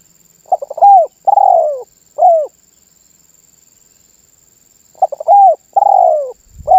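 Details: Spotted dove singing vigorously ('manggung gacor'), a song said to set other birds calling. Two phrases about four seconds apart, each a quick stutter of short notes, then a long mellow falling coo and a shorter final coo. A faint steady high whine runs throughout.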